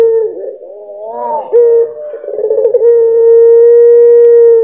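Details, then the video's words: Barbary dove (puter pelung) gives a mellow, wavering coo that settles into one long, steady, drawn-out note held for nearly two seconds. "Puter Pelung, suara dan karakter berbeda"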